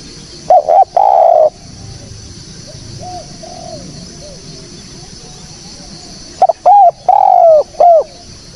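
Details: Clear spotted dove call intended as a lure for catching birds. A burst of deep coos opens, then faint distant bird notes fill a quiet gap before another phrase of clipped and drawn-out coos.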